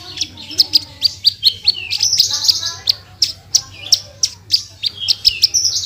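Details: Javan bush lark song in the rapid 'tembakan' style, aimed at teaching Indonesian cagebirds: crisp high chirps repeated about twice a second, with some buzzy upward slurs between, and a steady faint low hum.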